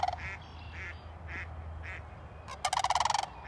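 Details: Sandhill cranes dancing in a wetland: a few softer, evenly spaced call notes, then a loud, rolling, rattled bugle of rapid pulses, over a low background rumble.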